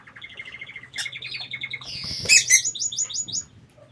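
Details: Lovebirds in a home aviary chattering: a fast run of high buzzy chirps building into louder sharp shrieks and a quick series of metallic notes, then fading.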